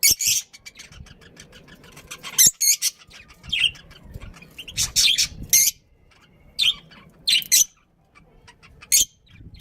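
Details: Pet budgerigar chirping in bursts of loud, harsh, buzzy chirps separated by short quiet gaps, with fainter chatter between the bursts.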